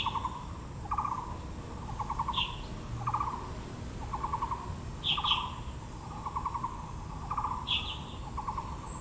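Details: Repeated dry, stuttering rattles from a Taiwan blue magpie among azaleas at Yangming Park, Yangmingshan, Taipei. Bursts come roughly once a second, occasionally with a thin high squeak, over continuous low background noise.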